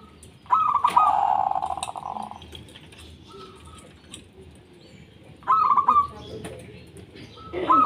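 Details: Local zebra dove singing to set other doves calling: a long rolling burst of bubbling coos merging into a buzzy trill, then two shorter bursts later, with faint thin whistles between.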